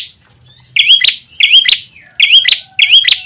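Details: Ashy tailorbird lure sound for attracting birds: four evenly spaced phrases, each a high chirp rising into a sharp upslurred note, about every 0.7 seconds.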